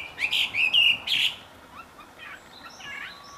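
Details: Wambi (pygmy cupwing) singing in the wild, loud and sweet: a quick burst of high, buzzy chirps over about a second, then fainter scattered high calls in the quiet natural background.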